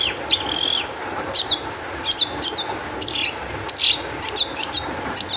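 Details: Long-tailed shrike in excited, high-energy song, used as a lure to get other shrikes singing: a sustained whistled note, then a string of harsh, scratchy bursts with slurred high whistles, roughly every half second.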